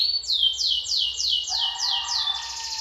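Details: Lively singing canary from Lampung: loud repeated high notes sweeping downward, about four a second, then a lower sustained whistled tone joins beneath the continuing series.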